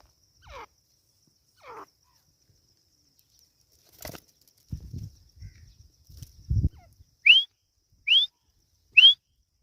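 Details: Partridge chick (teetar) sounds: after some low thumps and handling noise, three bright upward-sweeping whistled peeps spaced under a second apart.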